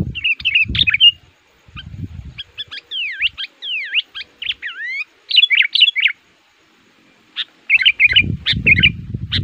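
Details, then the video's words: Sooty-headed bulbul song used to lure wild males in the forest, described as aggressive and pressing rivals: bursts of bright chattering notes, then a run of clear slurred whistles, pauses, and more chatter, with low thumping noises underneath. "Burung Kutilang Pikat Ngamuk,Gacor Aktif Menekan Lawan"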